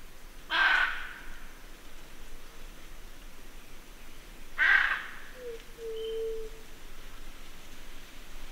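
Two harsh, raucous macaw screeches about four seconds apart, followed by a softer, low whistled note from another bird.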